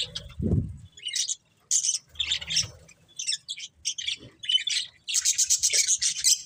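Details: Budgerigar chatter in separate bursts of scratchy warbling and squeaky notes, a low thump near the start, ending in a fast run of rapid repeated chirps.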